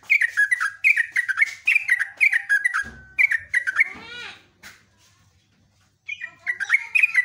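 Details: A Yellow-vented bulbul in full song gives long, quick runs of bubbly, chattering notes as a lure call, over and over. A brief gap and a few sweeping whistles break the runs before the chatter resumes.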